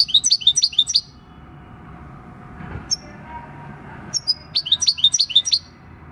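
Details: European goldfinch, six years old and caught in the wild, sings its field-style "El Carbonero" song on 26 December 2019: a quick twittering burst, a pause with one thin whistle, then another rapid tinkling phrase.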